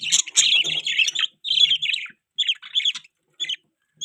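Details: Pet budgerigars chirp in lively warbled bursts, loud at first, then thinning to short separated chirps with silent gaps.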